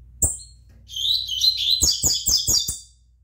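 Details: A young double-collared seedeater, five months old, delivers a high twittering, buzzy phrase of quick trilled notes, punctuated by several sharp clicks and a faint hum.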